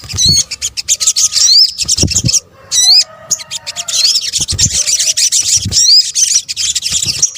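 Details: Sunbird lure recording from Indonesia, local name sogok ontong, mixing several calls; rapid high twitters with repeated sharp upward-sweeping notes, a brief pause midway, then more continuous chattering, plus occasional low thumps.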